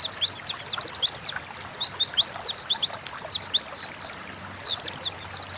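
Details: Energetic gacor ngalas singing from an Oriental white-eye, a recording to make birds sing quickly: nearly continuous high, rapid twittering of slurred notes with one brief gap before a final flurry.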